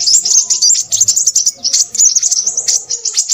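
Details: Crimson sunbird chattering in thin, high, quick-fire twittering phrases that waver slightly up and down, with faint low background sounds.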